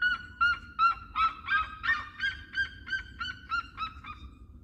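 Red-legged seriema giving a loud series of about a dozen nasal, yelping notes, roughly two or three per second, fading slightly toward the end over a low background rumble.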